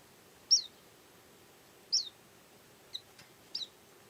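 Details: Active yellow-and-white white-eye giving four short, thin, high chips spaced irregularly about a second apart, each a quick downward flick, over quiet background hiss.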